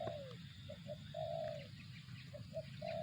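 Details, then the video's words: Brief burst of spotted dove cooing in zong style. A falling coo opens, then clipped short notes lead to a held coo, and the pattern starts again. Soft low hum and faint distant bird twitters beneath. "suara burung tekukur target zong"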